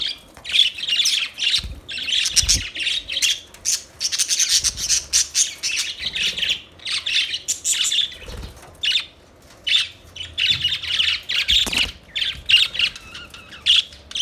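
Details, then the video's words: Budgerigars, Australian parrots, chirping in a dense, continuous chatter of buzzy warbles and short squawks, overlapping and nearly unbroken, with a few brief gaps and low thumps. "Budgies Chirping Sounds Beautiful Parrot Sounds"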